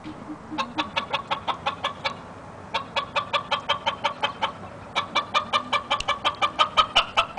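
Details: Young male red junglefowl (stag) of the YellowLyon strain, kept by a breeder in India, giving a rapid series of short, sharp clucks, about three per second, with a brief pause after two seconds before the run resumes.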